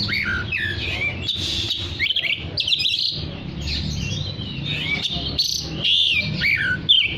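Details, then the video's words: Oriental magpie-robin in full, lively song, used to call other magpie-robins into singing; a continuous stream of varied whistles, slurred rising and falling phrases and short chirps, with a steady low background hum. "Terapi Suara kacer gacor untuk memanggil kacer lain dijamin langsung ikut bunyi"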